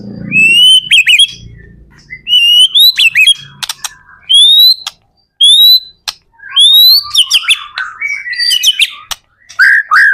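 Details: A white-rumped shama sings a lure song meant to draw other shamas into answering: short clear whistled phrases, each rising then dropping, separated by brief pauses and crisp high clicks, with a low rumble at the start.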